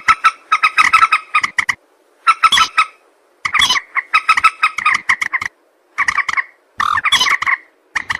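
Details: Common moorhen calls played as a hunting lure, known locally as jal morgi: bursts of harsh, nasal clucks and chattering notes, several per second, with brief pauses between groups.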